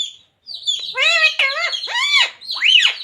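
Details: Pet green parrot, ringneck, talking indoors, repeating words such as Radhe Radhe and Sita Ram; harmonic, voice-like syllables with rising and falling pitch in a short phrase, ending in an arched squeaky note.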